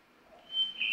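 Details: A hermit thrush, heard during a Mexican spotted owl survey in forested southeastern Arizona mountains, gives a clear, pure, steady whistled note, the opening tone of its song, held under half a second against a quiet background.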